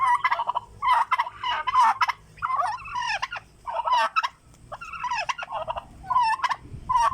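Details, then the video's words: A turkey calling out of hunger, giving rapid bubbling gobbles in clusters, some bursts longer and more wavering, spaced irregularly across several seconds with little other noise. "when the turkey is making sound it' means there hungry"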